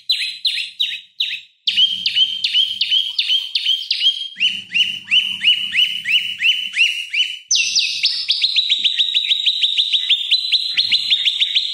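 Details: Olive-backed tailorbird lure song for oriental magpie-robins: a few spaced falling chips, then rapid steady series of ringing notes, rising in pitch for a final fast, dense run.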